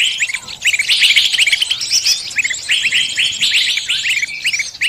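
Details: Bird-trapping lure sound meant to draw in every kind of bird: crowded overlapping chirping, with short bright notes and rising whistles repeated rapidly by several callers at once.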